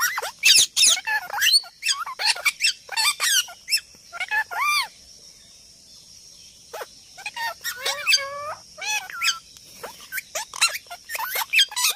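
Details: A parrot talking and making sounds: a rapid run of harsh squawks, rising whistles and chattering notes, then a pause of about two seconds before more looping whistles and screeches resume.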